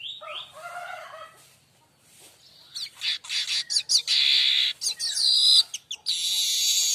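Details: Streaked weaver tutor song for magpie-robins and shamas: opens with a wavering warble, then a dense chattering series of high chips and grating buzzes, ending in a sustained sizzle.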